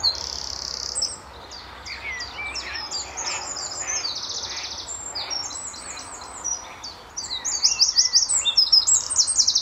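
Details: Early morning Eurasian wren at Standalone Farm, Letchworth, in March 2014, countersinging with a neighbouring wren: bursts of high rapid trills, a quieter stretch of scattered twittering with softer whistles, then a loud energetic run of trills at the end.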